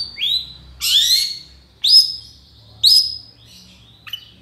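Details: Long-tailed shrike in full song, kept as a training master for songbirds: four loud whistled notes, each rising sharply then held, about one per second, with a faint low hum behind.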